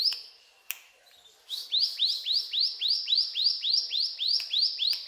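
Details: Quick, evenly paced series of upward-sweeping high notes from a mountain tailorbird, about three or four per second, with a few sharp clicks interrupting.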